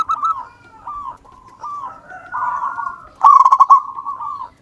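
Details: Wild-strain local zebra dove in steady song as a lure: drawn-out wavering coos building into one loud burst of rapid clipped notes, then a fading final coo.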